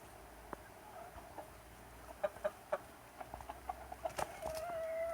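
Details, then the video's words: Chickens and roosters in summer give sharp, separate clucks in small clusters, then a sustained, even-pitched drawn-out call at the close. Faint hum in the background. "Chickens and roosters enjoying summer time - Real chicken sound effect"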